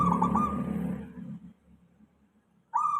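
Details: Zebra dove, local type, heard in a lure recording meant to draw replies from other doves: a rolling pulsed coo over low rumbling background, fading to near quiet before another bright coo begins at the end.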